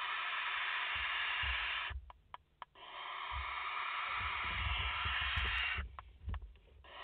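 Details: Nest of barn owls in France, mother and four chicks, filmed live on 30 August 2021: long, steady, noisy hisses of two to three seconds, with short gaps holding clicks, scratching and low thumps of movement.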